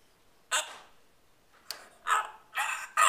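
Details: Talking African grey parrot giving short harsh broadband bursts, five separated utterances over three seconds with quiet gaps between them.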